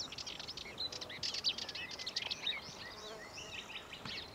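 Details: Sardinian warbler at Lake Kerkini National Park, Greece, in April 2024, giving a fast, scratchy chatter of dry, high notes in quick bursts, with a faint background hiss.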